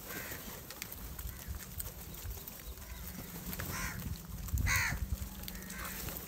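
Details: Crows, angry and gathering over rice food, giving a few harsh caws scattered across the clip, the loudest near the end, over steady low rumbling background noise.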